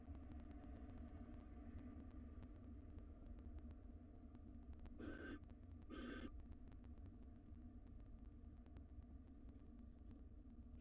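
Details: In a wild barn owl nest box, the male looks after the nestlings until the female returns; two short breathy rasping hisses about a second apart in the middle of a quiet stretch with steady low hum.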